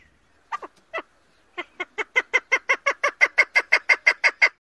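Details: A female chukar partridge gives a run of harsh, clucking notes that start sparse and speed up into a steady rapid series, about three per second.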